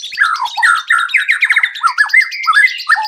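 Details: White-rumped shama song used as a lure to get other birds singing and show its full repertoire: a fast, varied run of slurred whistles and chattering notes, phrases tumbling downward, with bright high overtones.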